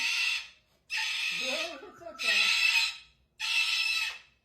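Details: Angry cockatoo kept indoors, giving four harsh, broadband screeches of about half a second to a second each, separated by short pauses, with a woman's low voice talking in the gap between the second and third.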